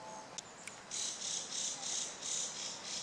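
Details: Chinese hwamei singing in the suburbs of Hachioji, Japan, on 14 April 2013, in a humorous manner. Two sharp clicks, then a fast run of about seven harsh, buzzy high notes at roughly four per second.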